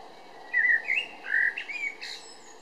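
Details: Eurasian blackbird singing in Berlin-Weißensee, Germany, on 17 June 2012: a short run of mellow warbled whistles, sliding phrases followed by a higher, thinner squeaky ending.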